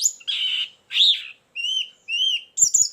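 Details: Lure recording of a white-eye with filler song: buzzy harsh phrases alternate with clean, slightly rising whistles, separated by short pauses and ending in a burst of high twittering.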